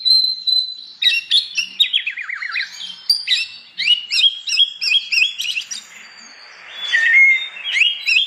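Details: Oriental magpie-robin singing energetically in the morning, ngeplong style, to stir other magpie-robins into song: a clear high whistle, then quick descending note runs and varied chattering phrases, a brief pause, and a further whistled phrase.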